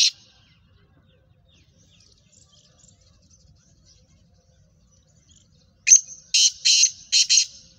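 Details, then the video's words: Kala teetar, the black francolin, Sheedi cross with a nasal chakri style, gives a brisk series of four scratchy, buzzy notes after long silence, with a brief rasp at the very start. "Black Franclion Voice Speeder Kala Teetar Gangas Sheedi cross Nasal Chakri Wala Teetar"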